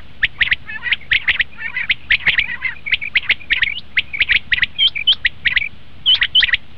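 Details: Calls of common quail, played to lure the birds for hunting: rapid clusters of sharp, squawky chirps and a few clearer whistled notes, repeated almost continuously with a faint low rumble underneath.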